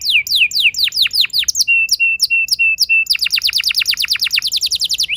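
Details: Canary in long rolling song, used to trigger other canaries to sing: a few swooping downward whistles, a row of short level piping notes, then a rapid repeated trill of falling notes.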